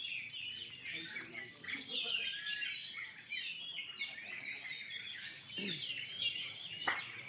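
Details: Several caged Oriental magpie-robins in full song at a 2020 songbird competition during the pandemic, producing sustained high whistles, fast warbling runs and clipped chirps layered together, over a low hum of people nearby.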